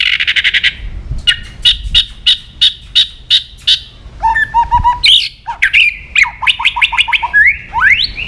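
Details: Provocative white-rumped shama song: a rasping burst, a series of spaced sharp chips, then a varied run of rich whistles, trills and upward-slurred notes.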